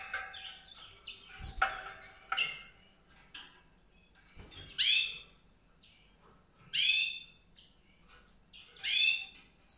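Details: White-rumped seedeater giving short bright chirps and upward-sweeping notes, spaced roughly every two seconds, over a faint background hiss.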